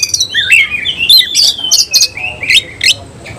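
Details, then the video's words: Oriental magpie-robin singing in rapid bursts with its tail opened: rolling, slurred whistles and chattering chirps about twice per second, each phrase ending in a sharp high note. "Kacer langsung NEMBAK NGOBRA BUKA EKOR"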